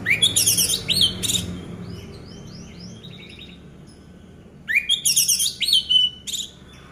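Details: Orange-headed thrush, a home-kept bird, used to prompt quiet birds into singing: two bursts of rich, varied notes, clear downslurred whistles and high buzzy phrases, separated by a softer stretch of scratchy, quieter twittering.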